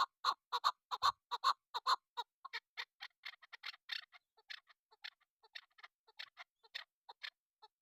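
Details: Female chukar partridge kept for hunting begins with strong, rhythmic chuk clucks, then shifts to a looser, irregular scatter of shorter, higher, scratchier notes continuing to the end.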